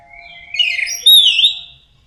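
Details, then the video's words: Single drawn-out warbling phrase from an Orange-headed thrush singing teler, a slurred whistle climbing and bending across its length, ending abruptly, with a faint steady tone behind. "Kicau Anis Merah Teler"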